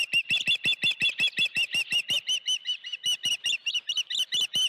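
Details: At the Dunrovin Ranch nest with a live fish on 16 June 2019 in the afternoon, an osprey gives a steady, unbroken run of piercing whistled chirps, about three each second, across the whole recording.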